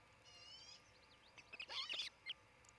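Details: At a nest cam in Charlo, Montana, late morning of 27 June 2018, an osprey from the nesting pair gives a quick cluster of loud, shrill chirps lasting under a second, ending with one separate sharp note.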